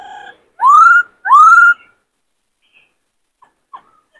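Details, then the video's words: White-cheeked laughingthrush in many-voiced song, used to train newly caught birds and excite males to sing and dance: two loud, clear rising whistles with a bright upward sweep, then near silence with a few faint clicks. "Khướu bạc má hót nhiều giọng hay Luyện khướu bổi kích khướu trống căng lửa hót múa"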